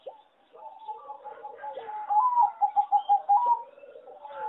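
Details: Singing zebra dove bred on a farm for competition, with a melody rated poor; soft cooing notes build into a single phrase of rapid, evenly pulsed coos lasting about a second and a half.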